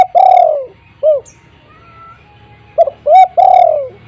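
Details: Spotted dove at a house, calling so that mute doves follow: a long falling coo and a short note, a pause, then a fresh phrase of quick coos and a long drawn coo.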